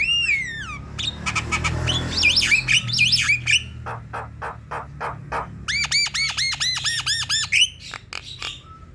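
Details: Black-winged myna song, offered as a lure recording to prompt a sluggish, reluctant bird into singing: descending whistled notes open, then harsh rasping squawks, warbled phrases, a series of dry clicks and a fast run of repeated arched notes.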